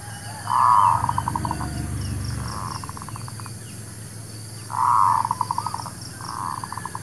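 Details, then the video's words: Local zebra dove singing, a recording meant to lure birds for trapping and for new birds: two long cooing notes each trailing into fast staccato pulses, with a low rumble early and faint other chirps. "SUARA PANCINGAN MERBUK KAMPUNG / PERKUTUT LOKAL...UNTUK PIKAT DAN BURUNG BARU"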